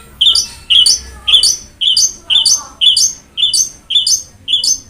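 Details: Long-tailed shrike, training audio to get a quiet captive bird singing: nine loud, harsh, slurred notes repeated evenly about every half second, each rising then dropping.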